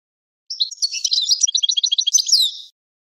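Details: Goldfinch teaching song for young birds and hybrids: a two-second burst of quick, varied high twitters and tinkling chirps, densely packed, no other sounds.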